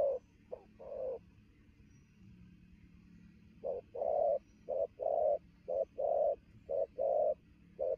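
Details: Newly caught spotted dove cooing quickly at midday; after a pause of about two seconds, a brisk series of deep short-long coo pairs about once a second.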